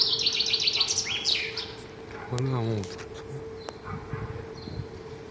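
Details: Morning song of a bird: a rapid, high series of repeated notes dropping into a short slurred ending, followed by a brief man's voice and a faint hum in the background.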